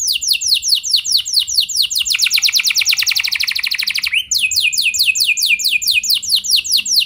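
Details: Canary in full song, a recording played to get other canaries singing: fast descending notes quickening into a tight trill, a brief upward sweep, then a steady series of high chirped notes.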